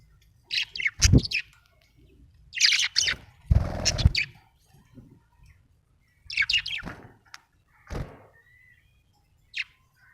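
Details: Happy budgie giving scattered bright chirps and short scratchy chatter, separated by silences, with soft thumps and knocks beneath some calls.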